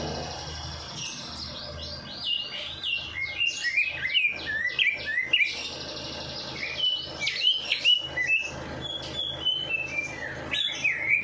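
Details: Bird singing, meant to set off a lazy bird after its night bath; a long lively stream of high whistles and quick slurred notes, often sliding down in pitch.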